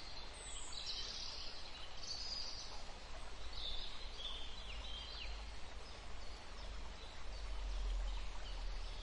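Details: Wild birds in a forest beside a small river, field recording: high, thin chirps and short bright twitters come in scattered bursts over a steady rushing of running water, with a low rumble underneath.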